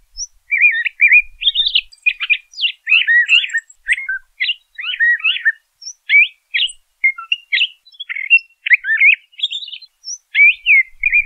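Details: LeConte's thrasher delivering a long, nearly continuous song of jumbled chirps, slurred whistles and warbles, phrases tumbling one after another with little pause, occasional faint low thumps.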